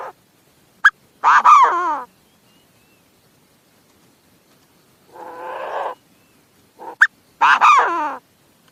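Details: Chinese francolin giving loud harsh calls that slide downward, each introduced by short sharp notes, with a quieter rasping note between them and silent pauses.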